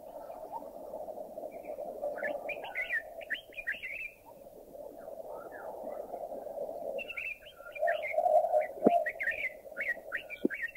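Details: Red-whiskered Bulbul, Thailand, delivering repeated quick chattering, warbled phrases in several bursts, with a steady low drone throughout and a couple of sharp clicks.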